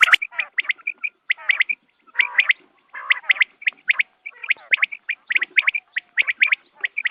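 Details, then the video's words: Morning quail calls used as a hunting lure: a dense, steady run of sharp chirps and clipped whistled notes, with occasional rattling buzzy phrases between them. "batair ki awaz subha k liye"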